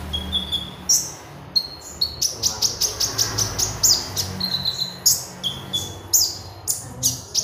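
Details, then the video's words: Magpie robin song played as a lure for training other birds: rapid high whistled and chirping phrases, sharp notes repeated in quick bursts, with a faint low hum underneath. "KONIN GACOR SUARA ASLI ORIGINAL//ampuh buat master||pancingan"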